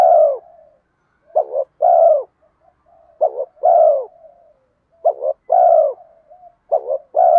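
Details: Spotted dove in 'giọng đồng' voice with urging coos to lure wild doves: about five phrases in quick succession, each a short stuttering note followed by a smooth, sustained low coo.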